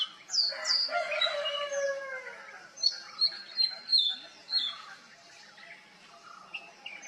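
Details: Oriental magpie-robin in mimicry song, copying calls of other species such as juvenile Black-naped Oriole and Black Drongo: high slurred whistles and a lower falling churr, then a run of bright repeated notes and scattered softer phrases.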